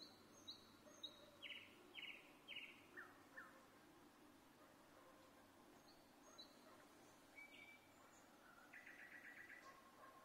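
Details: Nightingale in Vinnytsia, Ukraine, singing on 25 May 2024: high whistled notes, then a series of dense buzzy trills and quick chirps, a pause, and a final rattling buzzy phrase over background hum.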